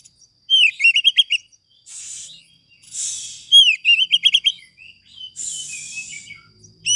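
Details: Oriental magpie-robin; song; master song to prompt other magpie-robins into singing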